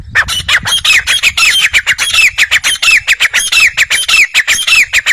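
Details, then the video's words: Grey francolin giving a loud series of scratchy, clipped notes. Many carry a short rising whistle. The notes are packed closely and repeated evenly for five seconds, with little else audible. "teeter voice | teeter boli | teeter sound"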